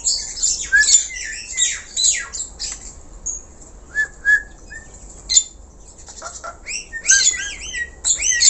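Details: Black-collared starling in full song, used as a lure for other birds: scratchy high squawks and chatter in irregular bursts with short whistled slurs, pauses between phrases, ending in repeated arching whistled notes.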